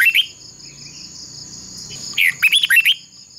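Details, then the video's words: Red-whiskered bulbul decoy singing in a contest for voice training: a brief whistled note, a quiet pause, then a quick run of bright, looping whistles, all over a steady high whine. "Chào mào mồi hót đấu quá tuyệt!! - Luyện giọng Chào mào hót hay"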